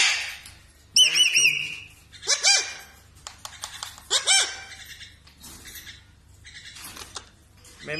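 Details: Pet parrot answering a person's spoken words with a whistled phrase, harsh squawks and short chattering notes, spaced irregularly over several seconds, with quiet background hum.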